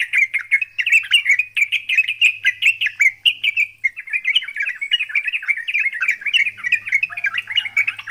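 A yellow-vented bulbul pours out a rapid, bubbly fighting song of chattering notes without pause.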